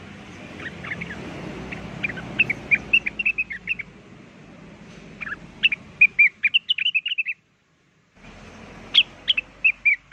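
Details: Actively singing blue-winged leafbird (rengganis) used to lure birds: several phrases of sharp, high whistled notes in quick series, broken by a brief full silence before singing resumes.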